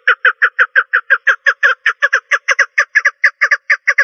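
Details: Hen partridge giving a quick, rhythmic chatter of short raspy notes, some coming in close pairs, kept up without a break.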